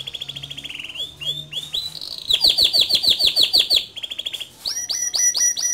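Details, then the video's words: Male canary singing gacor, rolling (ngerol) and shooting (nembak); bright whistled trills shift pitch, then a fast string of high buzzy notes and a run of rising chirps, all very high and rapid. "Suara Kicau Kenari Jantan Gacor Ngerol Nembak"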